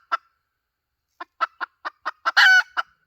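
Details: Hen call used to lure birds: a lone cluck, a pause, then quickening soft clucks that build to one loud, rough, nasal squawk and a final cluck.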